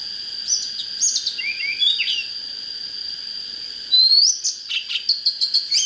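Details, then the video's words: Oriental magpie-robin singing, a recording meant to fire up birds for fights with wild decoy birds: scattered whistled and slurred notes, some rising sharply, in short bursts with pauses, over a steady high whine. "Chích chòe than HÓT HAY"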